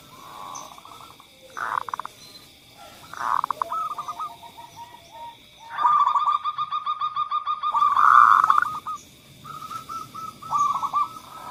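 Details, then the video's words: Zebra doves singing as a lure for birds that rarely sing: scattered short coo bursts, then a sustained stretch of quick, pulsing cooing notes, with other faint bird chirps in the background. "suara pemancing Perkutut yang Males Bunyi"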